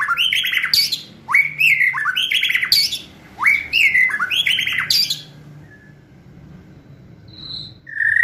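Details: White-rumped shama (murai batu) in fierce kretekan song, meant to provoke and speed up full singing: loud bursts of slurred upswept whistles and harsh crackling notes in quick clusters, then a pause with a few thin whistles near the end.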